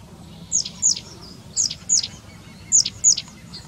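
Long-tailed tit giving very high, thin, sharply falling notes, mostly in quick pairs.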